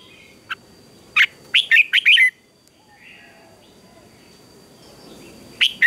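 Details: Red-whiskered bulbul singing during a morning contest: a single chip, then a quick burst of bright warbled notes sliding downward, followed by quiet and a new phrase starting at the end.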